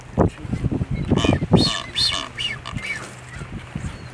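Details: Blue-footed booby giving a short run of arched, whistled notes, each rising then falling, spaced about half a second apart, with low thumping and rumbling noise underneath.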